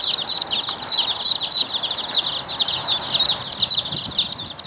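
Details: Rouen ducklings, a domestic breed kept in a backyard: a dense chorus of high, thin peeps with many overlapping calls rising and falling, over a steady low background hiss.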